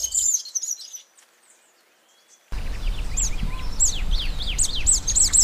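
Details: Scrub tanager (Stilpnia vitriolina) singing a quick run of thin, very high, slurred notes, several per second, over low wind rumble.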